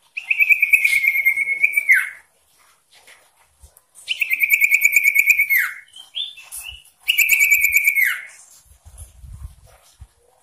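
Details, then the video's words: Three long buzzy, rapidly pulsed trills, each about two seconds and ending in a falling slur, come from a persistently singing sooty-headed bulbul with varied phrases meant to provoke rivals; brief pauses and a short whistle fall between them. "Sirtu Cipoh Gacor ngotot Variasi Memancing Emosi Lawan"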